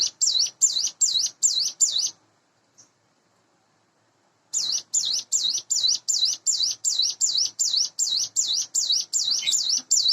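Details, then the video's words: Hand-reared caged Sunda bush warbler, about eight months old, in the morning: a burst of high wavy notes, over two seconds of silence with one faint note, then a long even run of the same notes. "suara ciblek gunung / cigun dipagi hari"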